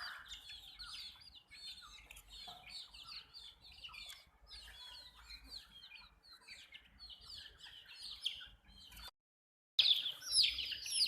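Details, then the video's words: Chicken chicks at drinking water, a busy chorus of many thin, high chirps overlapping for about nine seconds, then a brief silence before loud, shrill peeps resume. "MURGI Baby "CHICKS CHIRPING" Sound"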